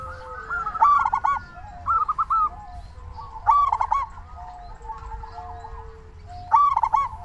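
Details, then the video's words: Zebra dove of local stock calling hard, meant to stimulate other doves to call: loud bursts of fast, wavering coos every two to three seconds, answered by quieter, flatter coos from other doves. "Perkutut lokal gacor suara paling ampuh untuk pancingan burung perkutut agar cepat bunyi"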